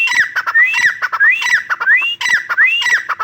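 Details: Continuous dense chorus of rising whistles and grating squawky notes from a female grey francolin, loud and steady throughout.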